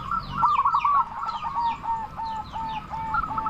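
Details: Local zebra dove with a strong voice, calling to lure other zebra doves into answering: an even string of short, clipped cooing notes, while another bird adds thin, high, falling whistles above.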